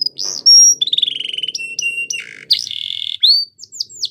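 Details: Belgian canary song for training: a pure high held whistle, a rapid rolling trill at mid pitch, a buzzy passage, then short rising and falling whistled notes.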